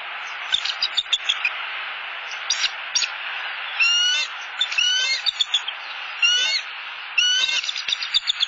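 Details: Perched pair of bald eagles at a Southwest Florida nest, 30 October 2015, calling at an unwanted eagle flying overhead after the male brought a fish; bursts of high, thin, stuttering chatter notes, some in quick piping runs, over a steady hiss.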